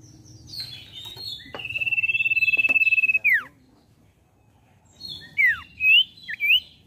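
A common iora gives a long, even, high whistled trill that ends in a falling slur, then three short rising whistles over a faint background hiss.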